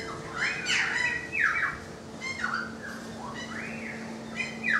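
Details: Balcony currawong song of loud swooping whistles, each phrase arching up then gliding down, given in quick succession with some harsh higher overtones and a steady low hum beneath.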